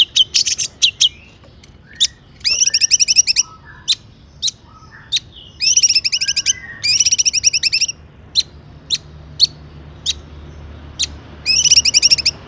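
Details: Long-tailed shrike singing mimicry-rich phrases to set off other shrikes: dense stuttering bursts of high chips and whistles a second or so long, separated by scattered single sharp ticks and quiet gaps.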